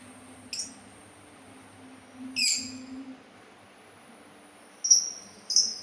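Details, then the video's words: Sultan tit calling with sharp high notes and a harsh burst, then two quick high whistled notes near the end, against a faint low hum. "suara burung labet Sultan"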